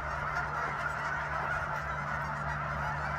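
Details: Short burst from a goose flock at Sunset Lake, Guymon, Oklahoma: dense overlapping honks over a low, steady droning hum.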